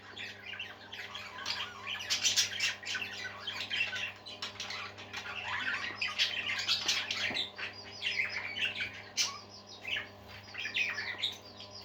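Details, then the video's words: Several Budgerigars (parakeets) chatter happily in a continuous warble of scratchy chirps, squawks and whistled notes, with a low steady hum beneath. "Happy Parakeets Singing"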